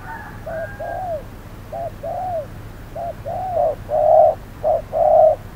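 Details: Spotted dove decoy bird calling during trapping on a hot midday: low, mellow cooing in paired phrases, a short note followed by a longer arched coo, repeated about once a second and growing louder toward the end.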